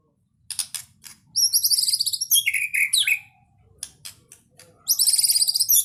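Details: White-rumped shama, described as a champion bird with a full varied song: sharp clicks, then a dense stretch of very high buzzy notes and slurred whistles, with more high phrases at the end.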